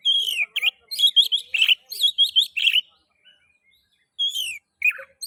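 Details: Oriental magpie-robin (kacer) song as a lure to stimulate singing in other magpie-robins: fast run of varied chirps and twisting whistles, a brief gap, then a drawn-out slurred whistle and short notes.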